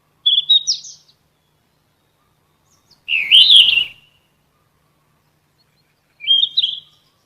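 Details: A golden flycatcher (sikatan emas, Ficedula), a singing cage bird, gives three short, high, bright phrases of sweet whistles and chirps, each about a second long, spaced roughly three seconds apart.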